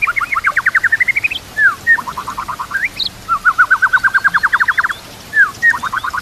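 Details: White-rumped shama song meant for training other birds, mixing in kapas tembak and cililin canary mimicry: fast rhythmic trills of evenly spaced notes, a few sharp slurred whistles between them, and brief pauses.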